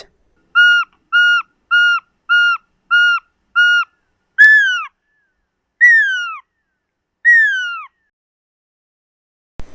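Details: Pearl-spotted owlet (Glaucidium perlatum) calling: six short, level whistles in quick succession, then three longer, louder downward-sliding whistles, each spaced over a second apart.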